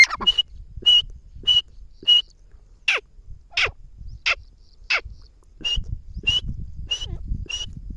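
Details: Lakha bhora teetar, the grey francolin, gives a string of short, clear, high call notes, then a few downward-sliding squeals, then more clipped notes, roughly once every half second, with light background noise.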